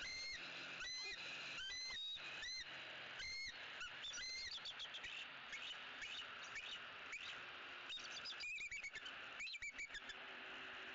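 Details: Early-morning calls from a bald eagle pair in a Southwest Florida nest tree on 18 October 2018, calling repeatedly at a sub-adult visitor; series of high, squeaky whistled chitters in quick bursts, repeated throughout against steady background hiss.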